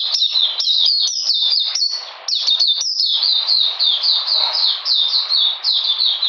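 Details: An Oriental magpie-robin, recorded 13 June 2020 in cold rain during deworming, pours out fast, shrill, down-slurred chirps in dense runs, barely pausing.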